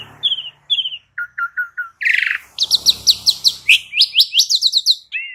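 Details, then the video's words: Asian pied starling singing as training audio to stir other starlings: two clear downslurred whistles, four short low notes, a harsh rasp, then a long fast series of bright, repeated upswept chirps. "Cukup 1 Menit Pancingan Jalak Uren Jadi Gacor 💥Masteran Jalak Uren Suren"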